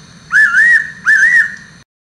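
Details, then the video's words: Fairy pitta whistling twice, two strong, drawn-out notes that bend upward and waver, about three-quarters of a second apart; a low droning hum runs beneath. "八色鳥(Fairy pitta)"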